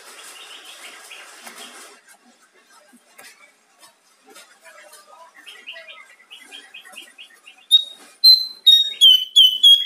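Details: Bar-winged prinia song: faint chattering and soft repeated notes at first, ending in a series of loud, clear whistled notes repeated rapidly.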